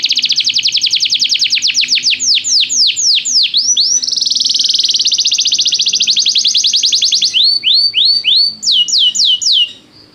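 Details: Played to draw a canary into song: a pet canary's fast trill slowing into swoops, then a dense buzzy roll, more falling sweeps, and a trailing faint end.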